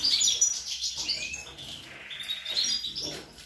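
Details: European goldfinch song of young birds, recorded 25 April 2021: rapid high twittering and tinkling notes with brief buzzy trills, delivered in a fast chattering stream with a short pause midway.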